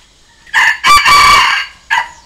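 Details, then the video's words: Decoy red junglefowl crowing to challenge wild birds: one loud crow made of a brief first note, a sustained harsh middle and a short last note, with no other sounds. "เสียงต่อไก่ป่า เสียงไก่สำหลับต่อ"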